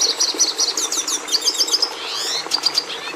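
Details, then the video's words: Red siskin singing: quick series of bright, high twittering notes, short repeated chirps and slurred whistles, then a buzzy trill and a few sharp notes near the end. "Canto do Tarim da Venezuela"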